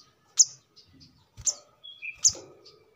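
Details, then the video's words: Brown-throated sunbird calling for use as a lure or as a training model for cage birds: three sharp, very high chirps about one second apart, with a brief thin whistled note between the second and third. "kolibri kelapa | manggar | wiceh | tidak disangka burung receh segacor ini untuk pancingan |masteran"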